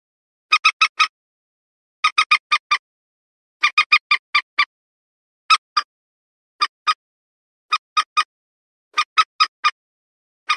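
Common Moorhen giving harsh, clipped clucking notes in quick bursts of two to six, spaced about a second apart, with nothing else heard.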